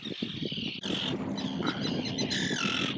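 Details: Gulls, parents of chicks that can swim but not yet fly, in the wild among small islands, recorded from 15-20 metres away while defending their young: loud harsh calls with bright harmonics, ending in a long falling squeal.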